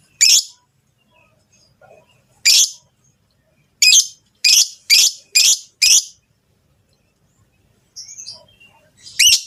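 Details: Mating call of Rosy-faced and Fischer's lovebirds, meant to stimulate the female to breed. Loud, harsh, high squeaks come irregularly: single notes first, then a quick run of five, with a softer call and a final shriek.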